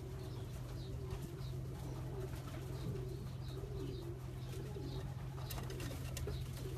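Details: Racing pigeons from a champion long-distance line coo indoors, with low warbling phrases recurring throughout over a constant electrical hum and faint high ticks.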